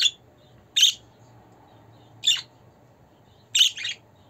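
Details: Pet budgerigar calls played to cheer and settle a bird: four brief rasping squawks separated by pauses of about a second, over a quiet low hum.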